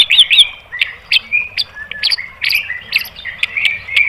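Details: White-rumped shama song intended to provoke other birds into singing, heard as short sharp whistled chips and brief warbles repeated every half second or so.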